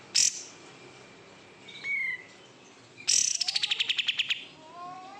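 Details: Caged oriental white-eye raised from bulk-bought stock: a sharp high chirp, then a thin downslurred whistle, then a rapid run of about a dozen evenly spaced high ticking notes ending with soft rising whistles.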